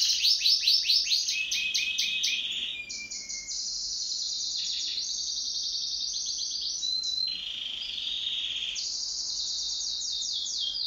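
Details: Caged pet canary singing in duet, opening with loud rapid pulsed rolls, then long sustained high trills shifting between pitches, with quiet steady hum beneath.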